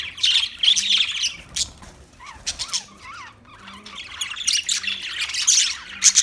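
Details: Budgerigar chatter in rough bursts of scratchy, high chirps and squawks, broken by a short quieter spell of clear up-and-down whistled notes before the busy warbling resumes.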